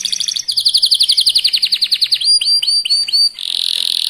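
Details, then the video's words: Young local canary in very fast song used to trigger other canaries to answer; a rolling, slightly descending trill of about twenty notes gives way to crisp down-slurred chips and a harsh buzz. "Kenari muda gacor pancingan kenari lokal super cepat bikin lawan bunyi"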